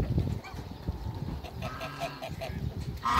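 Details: Backyard pair of Toulouse geese among other waterbirds. Low, throaty honks sound over a busy farmyard background, ending in a sharper, louder honk.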